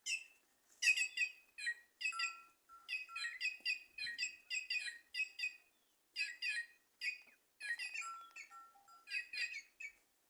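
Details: White-naped jay singing from trees in Simões, Piauí, northeastern Brazil: a long chattering series of rough, squeaky notes in rapid clusters, with occasional clear whistled tones.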